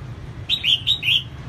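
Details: Female red-whiskered bulbul sings to stir up males, giving one brief phrase of four bright, slurred whistled notes in quick succession above a constant low background hum.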